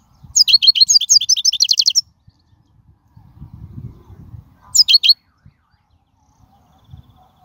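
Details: European goldfinch song recorded in the wild for training young birds: a rapid twittering phrase of high chirps and trills, a faint low murmur, then a short second burst of notes.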